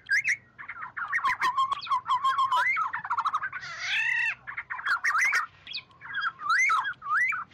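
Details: Oriole call to gather the flock, a lure recording: a near-continuous stream of mellow, slurred whistles and chattering notes, broken in the middle by one harsh rasping squawk, then more looping whistles.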